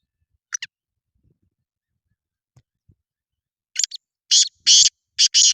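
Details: A black francolin calls after a short sharp note and a pause: a scratchy lead-in, then two loud grating pairs of rasping notes, with the surroundings otherwise quiet.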